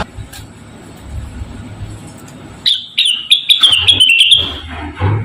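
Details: Model song of a Javan cochoa for training cage birds such as rengganis: after quiet background, a bright trilled whistle starts, then pulses rapidly with clicking accents while drifting lower, over faint low hum.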